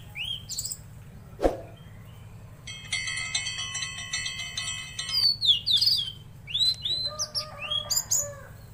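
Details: Tledekan laut bird singing actively, with sharp high whistled notes and rising and falling slurs, a ringing chime-like series of stacked tones in the middle, then quick chattering phrases near the end. A low steady hum runs throughout.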